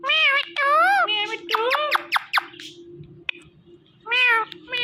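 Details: Talking Indian ringneck parrot producing speech-like phrases and a quick run of rapid clicking notes, with a steady low hum beneath.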